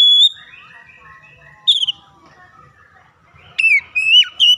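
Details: Oriental magpie-robin singing to prompt other birds: scattered whistled notes, then a quick run of sliding whistles at the end, with soft warbling behind.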